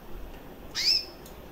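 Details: A one-year-old recessive white hen canary with red-factor eyes gives one short, high, rising chirp over a soft hiss.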